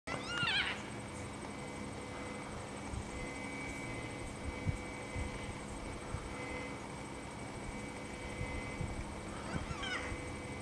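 A yellow-tailed black cockatoo gives two drawn-out, wailing calls, one at the start and one near the end, over a steady background hum.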